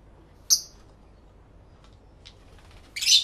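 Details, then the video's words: Pair of lovebirds talking to each other, recorded in stereo through two external microphones: one thin, shrill chirp, a pause with faint ticks, then a loud harsh burst of squeaky calls at the end. "Lovebird Sounds"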